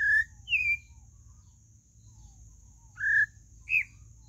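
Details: Pale-breasted thrush: loud pure whistles, one flat, one falling, then a pause and two more slurred notes, each lasting a fraction of a second, over a faint high background hiss.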